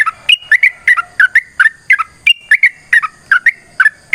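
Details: Sooty-headed bulbul in fast fighting song, used as a lure for other birds to respond: jaunty, bubbling whistled notes in doubles and triples, rising and falling, repeating without letup over about four seconds.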